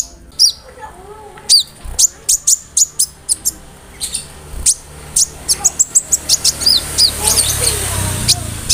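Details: Konin bird singing a varied song stuffed with cricket and bird imitations, meant as tutor material for other songbirds; quick high chirps and short slurred whistles repeated in rapid succession, getting denser toward the end.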